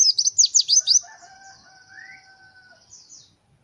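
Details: White-eye, a lively singing fighter bird: a fast burst of high, thin chirps sweeping downward, about five in the first second, then a softer thin twittering with faint steady lower whistles.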